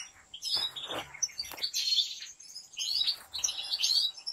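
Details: In a professional breeder's large aviary, European goldfinches deliver busy, scratchy twittering mixed with sharp chirps and short tinkling trills, a few quick clicks or wing sounds underneath.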